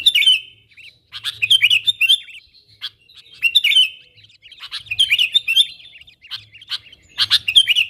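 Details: Sooty-headed bulbul calling wild companions, played to lure wild bulbuls in; loud bubbly warbled phrases and sharp chirps come in irregular clusters over several seconds with brief gaps.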